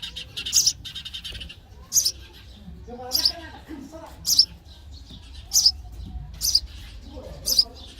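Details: Baby sparrows chirping for food in the nest during feeding, sharp high chirps spaced about a second apart, with a short buzzy trill at the start.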